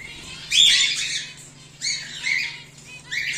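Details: Cockatiels from a home breeding setup, whiteface emerald and exhibition grey male, give a loud grating squawk, then two weaker rasping calls, with a low hum underneath.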